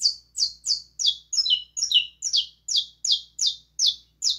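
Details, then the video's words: Saffron finch in lively song, a steady run of bright descending chirps, each sliding down sharply, roughly two to three per second, with a faint low hum underneath. "Canário da terra canta muito"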